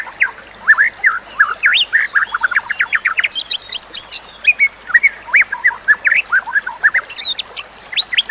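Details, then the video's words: White-rumped shama song used for teaching other birds: dense sequence of quick whistled notes with bursts of higher, thinner phrases, varied and nonstop, soft background hiss. "Kicauan Murai Batu yang Menggoda Telinga"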